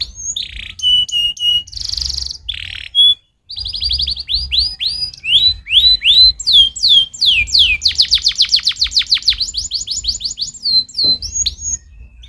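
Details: Stimulating canary song with varied phrases: short flat whistles, a buzzy burst, brief pause, then rapid falling sweeps building into a dense rolling trill and closing with high thin whistles over low background hum.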